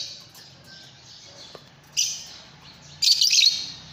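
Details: Fischer's lovebird with a soft faint chirp, then a sharp short squeak, then a louder harsh, buzzy high-pitched screech lasting half a second, low hum underneath.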